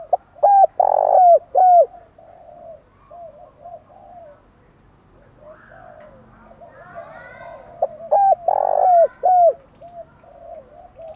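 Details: Spotted dove cooing to provoke wild birds into fighting and calling back: loud, low, hollow coos in two bursts near the start and again late, with softer, higher chirping from other birds in between.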